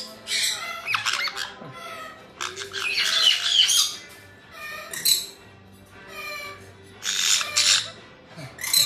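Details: A mixed group of friendly white-bellied and black-headed caiques gives harsh, shrill squawks and screeches in ragged bursts every second or two, with several birds calling over one another.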